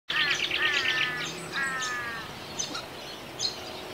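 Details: A dusky moorhen at Archerfield Wetlands gives a rapid run of harsh, nasal, slightly falling notes, then a shorter second burst; thin high chirps from small birds sound behind it.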